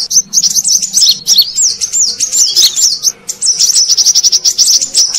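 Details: Brown-throated sunbird sound used as a lure for wild birds: busy, high-pitched twittering with quick rising and falling chirps and sharp repeated tweets, strung together without a break.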